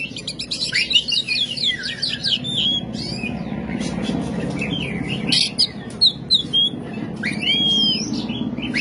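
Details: Oriental magpie-robin giving a varied song of quick slurred whistles, rising-falling notes and scratchy chatter, partly masked by a steady low background rumble.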